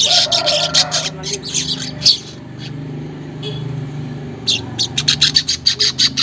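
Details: Weaver chatter used to get caged birds singing quickly: a rush of buzzy, crackling bursts, a lull with low hum and a brief chip, then a quickening run of short scratchy notes at the end.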